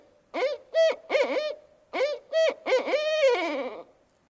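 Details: Barred Owl in spring, a very vocal season for owls, hooting two rhythmic phrases of deep, rounded notes, the final note drawn out and sliding downward, the familiar 'who cooks for you all'.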